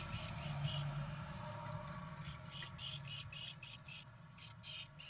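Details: Great tits talking inside a nest box in late March: short, hissy, buzzy bursts, about three to four a second with brief gaps, over a low steady hum.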